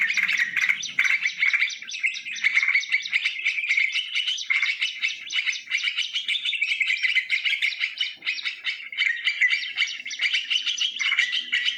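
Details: Lure recording of sooty-headed bulbul made live in nature: long, unbroken stream of lively chirps and bubbly warbles, busy and overlapping throughout.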